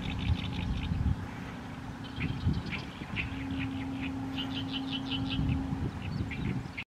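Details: Oriental reed warbler singing in May 2022, Nishi-ku, Fukuoka, Japan: a harsh, grating chatter of rapid, repeated croaking syllables, over a steady low traffic rumble and hum.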